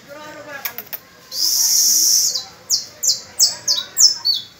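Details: Canary recorded on the first of May while young learner birds practise with it; a long sustained high rolling trill, then a run of six falling whistled slurs repeated roughly every half second.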